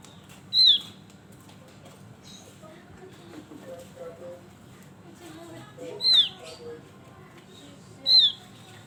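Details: Male Javan grey-throated white-eye sings three short, strong descending whistles, the last two closer together, while soft murmuring and low chatter run underneath.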